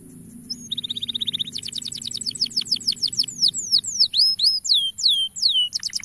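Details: Male canary song used as a calling recording to coax young canaries into singing: a fast trill of rapid high notes, then a run of sweeping downslurred whistles, over a steady low hum and a faint high background tone.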